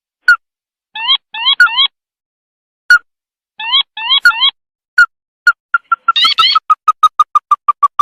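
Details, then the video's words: Red-eyed sintar (sintar mata merah) used as a night-time lure call, giving single clear mid-pitched notes between groups of nasal upslurred triple notes, then a rapid run of repeated notes speeding up toward the end. "Suara pikat burung sintar mata merah"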